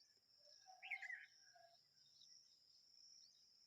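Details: A baby bulbul just out of the nest gives one short, husky chirped phrase with a slightly rising note near the start, over a steady high insect drone.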